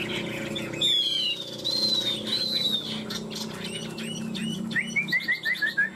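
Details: Chinese hwamei, one of two tame caged birds kept three years, in fighting song: long sweeping high whistles, then a quick series of short repeated notes at the end, over low background hum.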